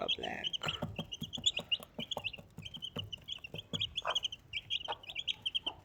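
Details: Four baby Desi chicks with their mother hen give quick, high-pitched cheeping notes in short bursts, nearly continuous, over soft pecking taps and clicks.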